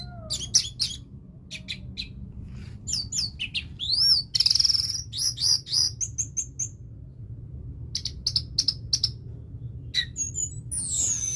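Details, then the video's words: Orange-headed thrush, a pet songbird; varied song of sharp high chirps, fluttering trills and repeated whistled notes with clear pauses between phrases, over a low steady hum. "Anis Merah Teler"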